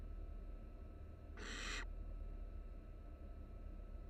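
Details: Barn owl chicks, three nestlings huddled in a Florida nest box; one bright, broadband rasping hiss of roughly half a second stands out against constant low background hum.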